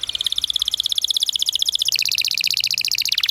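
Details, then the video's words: Canary song used as a lure and tutor for young canaries learning to sing, a long rolling performance: rapid, evenly spaced high trills, about a dozen notes per second, shifting pitch midway and ending with a falling slur. "PANCINGAN Kenari GACOR PANJANG Cuit Cuit EMOSI‼️ MASTERAN Kenari PAUD belajar BUNYI"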